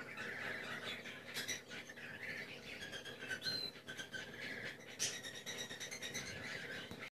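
Cockatiels fill the air with harsh, scratchy squawks and chatter, overlapping continuously, with a few brief sharper whistled notes breaking through.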